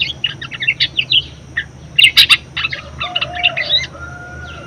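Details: Very vocal budgerigar whose song serves for luring and tutoring other birds: quick high twittering notes, a burst of loud sharp clicks near the middle, then more chattering with a thin steady tone behind.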